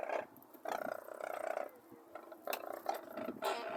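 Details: Harsh, rattling trumpet calls from Brolgas at Longreach, Queensland, Australia, given in bursts of about a second, separated by brief quieter spells, with sharp clicks mixed in.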